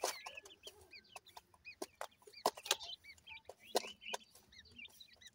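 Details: Several partridge chicks, playing, make bright, arched peeping notes repeated in quick succession, with crisp clicks and taps scattered throughout.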